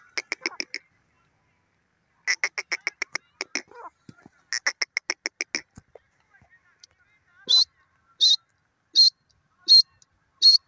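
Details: Grey francolin calling: rapid runs of harsh, clicking notes in short bursts, then a series of loud, piercing high notes repeated about every three quarters of a second.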